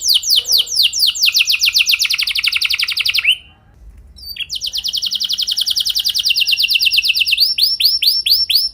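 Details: Canary training song meant to make canaries sing and roll at length: a long, very fast rolling trill, a short silence, a second extended roll, then a few arched whistled notes.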